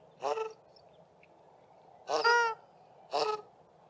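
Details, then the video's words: South African shelduck male and female calling together from sewage ponds, Grahamstown; three harsh harmonic honks, the middle one longer and higher, over a steady background drone. "South African Shelduck pair duetting on water and then in flight"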